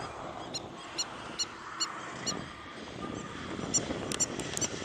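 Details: Spur-winged lapwing on a resort beach at Marsa Alam, Egypt: sharp, high, ringing notes repeated at uneven intervals over steady surf-like noise, ending in a quick cluster of piercing calls.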